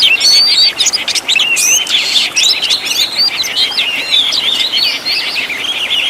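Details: Kacer, the Oriental magpie-robin, singing a training master packed with 'tembakan' fill-ins for caged birds: a dense, continuous stream of high, fast whistles, rising and falling slurs and buzzy chirps.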